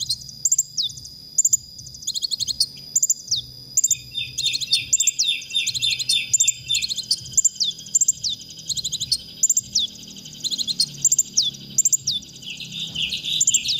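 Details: Konin song as masteran material for training songbirds: a long, rich medley of high chips, quick trills and downslurred whistles, sometimes sung in rapid series, over a faint low hum.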